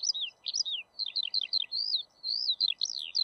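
Eurasian skylark pouring out a fast, high, unbroken warble of trills and chirps that rise and fall, over a faint low background hum.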